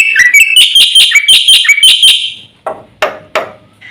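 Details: Javan white starling in full song from a master recording used to provoke birds: about two seconds of quick, loud, squeaky whistled notes, fading out, followed by a few isolated knocks.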